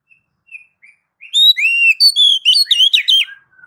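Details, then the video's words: Oriental magpie-robin in the ngeplong song style, used to prompt other magpie-robins to sing: a few soft thin notes, then a rapid run of clear, sweet whistles, slurred up and down, with no background noise. "MASTER DASAR KACER NGEPLONG MEMANCING KACER AGAR CEPAT BUNYI GACOR Birds Song Kacer"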